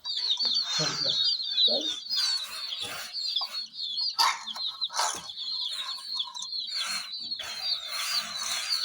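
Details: Hen chicks confronting miniature jeep toys keep up a loud, busy stream of shrill, repeated peeps, overlapping from several chicks, interrupted by sharp clicks and scuffling bumps.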